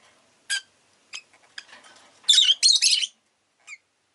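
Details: Rosy-faced lovebird with scattered single chirps and soft chatter, building to a loud run of harsh, buzzy squawks, then one last short chirp.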